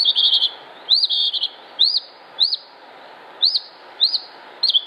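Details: Singing Northern Mockingbird in Concord, North Carolina, 07-06-2016: a short buzzy trill followed by sharp upslurred chirps repeated roughly every half second to second, irregularly spaced.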